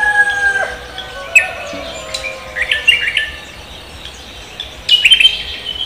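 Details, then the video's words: Cucak kombo greeting the morning: a long steady tone at the start, then sparse sharp chirps and whistles, a quiet stretch, and a final burst of bright high notes. "cucak kombo koak kelapa gacor menyambut pagi"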